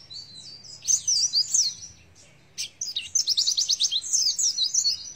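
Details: Shrill, fast 'nembak isian' song of an Oriental white-eye: scratchy high twitters, a brief pause near the middle, then a run of rapid repeated sharp notes.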